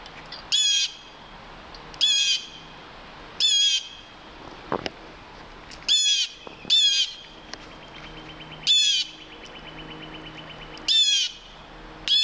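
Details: Red-tailed hawk calling near Halcyon Pond, March 21, 2015, a Saturday: eight brief, hoarse, descending squeals at uneven intervals of one to two seconds, with a faint thin rattling tone trailing behind one of them.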